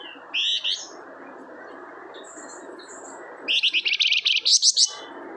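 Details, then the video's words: Lively flamboyan singing as a lure: a couple of short high notes, a pause, then a rapid run of bright, sharp chirps rising at the end, over a continuous low hissing noise. "BURUNG FLAMBOYAN GACOR 100% AMPUH UNTUK PANCINGAN"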